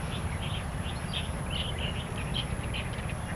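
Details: Free-living starlings in Taiwan, with kapasan birds also present: a run of short, slurred chirps and whistled squeaks close together, over a heavy low-pitched background drone.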